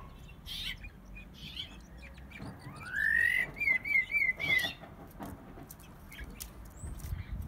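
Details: Five-month-old brown-backed solitaire, a tame cage bird raised from the nest, gives a rising whistled slide that breaks into a run of quick warbled, wavering notes. Faint chirps and low background noise are also heard.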